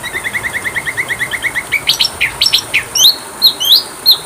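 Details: Oriental magpie-robin song used as a training recording for caged birds: a steady run of about fifteen short chirps, then a faster varied burst of high sweeping, whistled notes.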